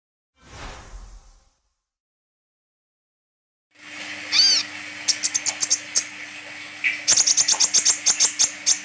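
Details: Sunbird, locally called kolibri ninja, singing vigorously with open beak, described as in full song with bursts of notes. After a faint noise and a pause come rapid, high, sharp chirps and short sweeping notes over a steady low hum.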